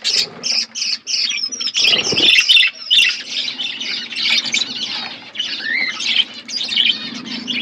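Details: Budgerigars in an outdoor aviary, a flock chattering continuously: dense overlapping high chirps, warbles and squawks with no pauses, one broad burst near the second second, a faint low hum underneath.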